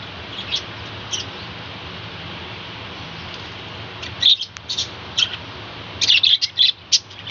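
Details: Morning chatter from a budgerigar colony kept on a home balcony: quiet at first, then bursts of clustered high chirps and twitters building toward the end, over constant low hiss.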